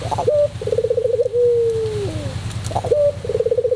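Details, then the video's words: Singing white Barbary dove of the pelung type, kept as a master recording: a rapid rolling coo leads into a drawn-out, sliding note, then a new rolled phrase begins. "masteran puter pelung putih manggung"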